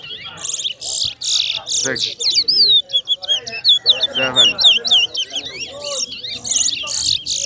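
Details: Chestnut-bellied seed finch (towa towa) in a bird singing competition, two birds matched against each other: rapid high whistled and chirping notes, sharp upward and downward slurs strung together, with a man's voice counting and some music in the background.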